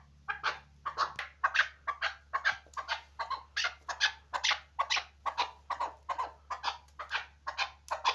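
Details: Hunting chukar partridge calling a fast, steady run of clipped, slightly raspy 'chuk' notes, a little over two per second, against a low electrical hum.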